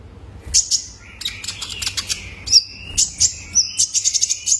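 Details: Young male Kolibri Ninja, a sound meant to coax caged birds into singing: dense high twitters and a sustained whistled tone, ending in quick repeated chirps.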